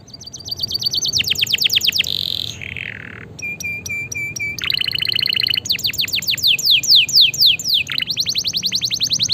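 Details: Canary song meant to stimulate silent canaries: rapid pulsed notes, a buzzy descending slur, clipped metallic repeated tones, then bright trills and a run of rising and falling whistled sweeps, nearly continuous.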